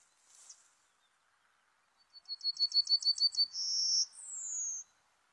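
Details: Serin song played as a trapping lure. A soft scratchy note comes first, then a pause. The phrase follows: rapid repeated chirps, a steady piercing whistle and a descending whistled tail.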